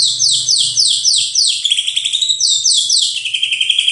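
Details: White-rumped shama pouring out quick, high down-slurred notes that merge into a lower, rattling, stuttering trill toward the end.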